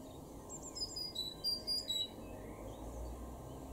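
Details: A great tit sings in a garden in Weener, East Frisia, far northwest Germany, in April 2021, giving a quick run of bright, high notes, some paired, over about a second with a steady low background rumble.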